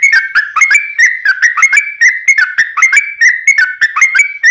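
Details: Yellow-vented bulbul (trucukan) singing a long rapid-fire ropel song, used as a lure: bubbly whistled notes jumping between two pitches, repeated in quick succession throughout, with sharp high clicks between phrases.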